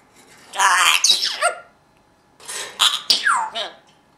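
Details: Male pet parrot imitating its owner's sneezing, producing two harsh, hissy, explosive bursts about two seconds apart, each followed by short squeaky downward-sliding notes, in a quiet room.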